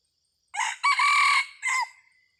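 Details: Decoy red junglefowl rooster used for luring wild birds, recorded 30 October 2023, gives a complete crow: brief rasping start, sustained loud middle section and a short dropping end note, with no other sounds.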